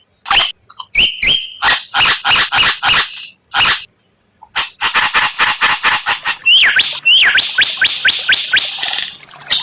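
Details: White-rumped shama, known locally as murai batu, singing unusual 'tembakan' bursts: spaced sharp chip notes, a pause, then a long rapid stuttering rattle broken by looping down-slurred whistles.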